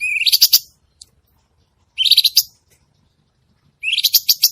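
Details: Cucak cungkok bulbul in active song (gacor): three phrases roughly two seconds apart, each a short rising whistle running into a quick series of sharp chattering notes.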